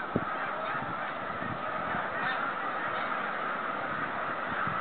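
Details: Homeward-bound snow geese, 2013: a steady, blended chorus of many honks, one sharp low knock at the start and faint low pulses afterwards.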